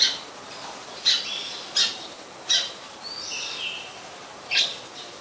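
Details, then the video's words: Wild Oriental magpie-robin, a very common resident, singing at Ubon Ratchathani, Thailand, on 26 December 2020: sharp high notes roughly every 0.7 seconds, mixed with a drawn-out whistled phrase and a falling slur. "นกกางเขนบ้าน Oriental Magpie Robin (singing)"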